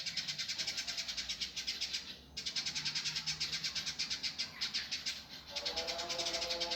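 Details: Indigo bird in a training master recording, singing in a rough, speedy, dense style: strings of grating high notes pulsing quickly, with short gaps, plus a low hum near the end.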